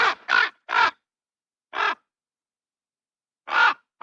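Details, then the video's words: Raven giving a run of three rapid, rough croaks, then two more spaced croaks separated by silence. "What does a Raven sound like?"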